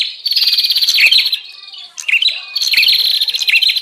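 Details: Lure sound of a noisy bar-winged prinia, used to attract wild birds: rapid buzzy trilling with downward chirps, a quieter lull in the middle, then another dense burst.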